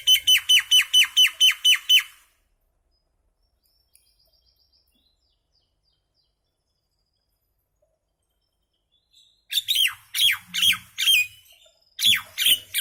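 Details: A little common myna making noise, a rapid run of eight rasping, evenly spaced squawks, then silence, followed by a second, more ragged burst of harsh descending calls.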